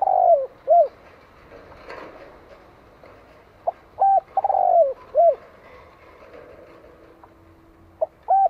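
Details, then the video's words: Spotted dove calling in Vietnam to provoke wild doves, two full phrases: clipped note, held coo, rolling descending trill, arched coo, with a thin steady tone and faint background noise between. "Tiếng Chim Cu Gáy Gọi Kích Bổi Chuẩn Mới Nhất - 100% Nghe Là Gáy"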